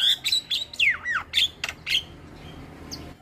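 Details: Starling singing in a recording meant to lure starlings into voicing: loud squeaky whistles and a long descending slurred note, several harsh chirps in quick succession, then a quieter background hum.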